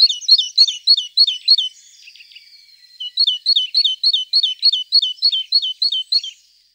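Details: Tit singing a fast run of bright, high two-note phrases, about three per second, then a short pause with faint chatter before the rhythmic series resumes and carries on to the end.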